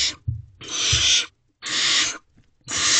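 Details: Nest-box barn owl young during a night food delivery by the male, 3:27 am, 12 May 2023; three long, noisy, breathy screeches, each lasting over half a second, separated by brief pauses and soft knocks.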